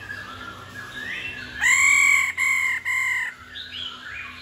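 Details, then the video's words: Female laughingthrush, said to sing daily and to stir males into singing, gives three loud, clear, slightly falling whistled notes in quick succession, each rich and ringing, with softer warbled notes before and after against a faint background hum. "Khứu mái ro quá đỉnh.kích trống hót căng mỗi ngày.khứu mái ro ro"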